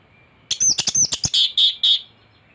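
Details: Thrush singing in teler style with mimicked fill-ins, played as tutoring master material to prompt singing; a rapid burst of chattering high notes ending in three clear whistled notes.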